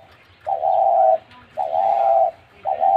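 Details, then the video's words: Caged spotted dove giving its sweet call: three soft, mellow, low coos, each a sustained hollow note lasting about half a second to a second, spaced roughly a second apart. "তিলা ঘুঘুর মধুর ডাক"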